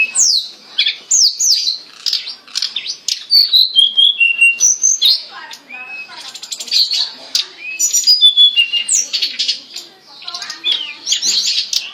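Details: Long stretch of hill blue flycatcher song used for training caged songbirds: rapid sweeping whistles falling in pitch, interspersed with buzzy and chattering elements, phrases following one another with barely a pause.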